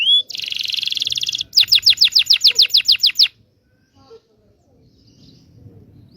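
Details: Local Indonesian canary training song for young canaries: a rising whistle, a dense high buzzy trill, then a string of about twelve sharp repeated notes, followed by quiet.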